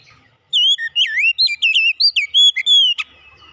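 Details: Sweet, fluid phrase from an oriental magpie-robin, used as a recording to revive a magpie-robin that has gone quiet: about a dozen quick whistled notes swooping up and down, ending in a sharp click.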